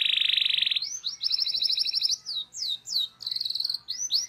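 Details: Local canary in energetic tutor song: a loud low rolling trill, then higher rattling trills broken by rising swooped whistles, repeated in quick alternation.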